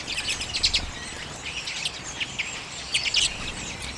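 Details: Common redpolls at sunflower seeds, late January 2022, filmed on a Canon EOS M50: separate bright, high chirps in short clusters, with a quieter stretch in between and a louder burst of notes near the end.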